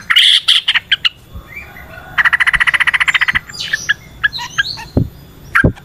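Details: Yellow-vented bulbul in a long natural song bout: a rapid, even rattle of bubbly notes lasting over a second, framed by loud mixed chirps and a few low thumps.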